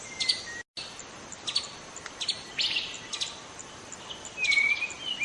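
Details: Young wild White-rumped shama in the forest: scattered bright chips and short whistled notes, then a clear rising-and-falling whistle near the end, over a steady hiss of background noise.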